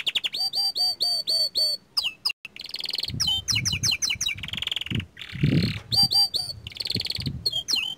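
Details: Young canary singing at a steady pace, with rapid repeated rolling notes, fast trills and buzzy phrases; some low thumps underneath.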